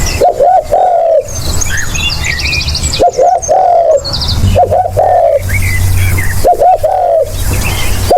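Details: Lure recording of a spotted dove cooing: a phrase of quick paired coos and a long sliding note, repeated about every two seconds four times, over a low droning hum with scattered high twittering from other birds.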